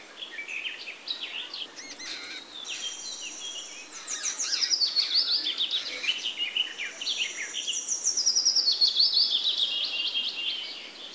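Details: Jungle babblers fighting: a dense, continuous chatter of harsh, squeaky overlapping notes from several birds, with rising and falling whistled squeals, kept up without pause throughout.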